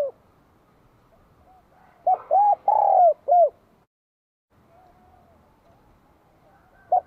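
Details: Spotted dove from Vietnam with a bell-toned voice, singing energetically to welcome spring 2023: one phrase of four to five mellow, ringing coos, the longest note in the middle sliding down, followed by quiet background.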